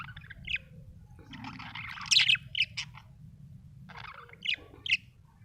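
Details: Budgerigar chirping happily, a busy run of short high chirps and scratchy warbled notes in loose clusters, the loudest burst in the middle, over a faint low hum.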